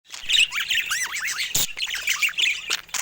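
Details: Pet budgerigars playing with toys in the morning, giving fast wavy warbling chatter with looping, rising and falling notes, busy high chirps and a few sharp clicks mixed in.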